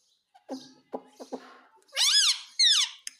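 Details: Talking pet parrot in a small room saying "mummy" (mami): a few soft low voice sounds and clicks, then two loud, shrill, arching squeaky syllables close together.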